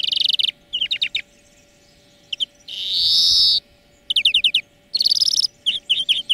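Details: European greenfinch song used to tutor birds: quick chirping trills, a prolonged buzzy wheeze in the middle, then rippling twitters and chirps, with an electrical-sounding hum throughout.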